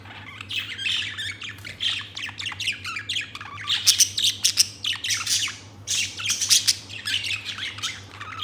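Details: A blue budgerigar chirps and chatters in rapid, scratchy bursts of high notes with brief squawks.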